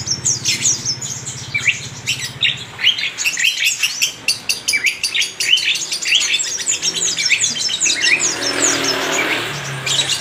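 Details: Sunbird singing rapidly: a dense stream of high, thin twittering and chirping notes, fast and continuous, with a low hum under the first seconds and a rushing noise near the end.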